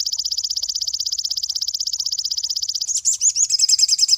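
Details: Cinereous tit recording for training songbirds: a rapid, buzzy, high rattle for nearly three seconds that breaks into a quick, warbling, twittering phrase of slurred high notes.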